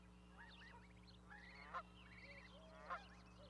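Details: Goose nesting with goslings on an osprey platform at Charlo, Montana, May 12, 2020; two clipped honks about a second apart amid busy songbird chatter and a steady low background drone.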